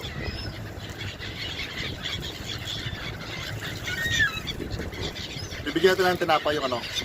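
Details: Gulls being fed bread by the Scheldt in Belgium, competing for food, give a brief nasal squeal, then a burst of harsh, harmonic, falling cries, over steady wind and outdoor rumble.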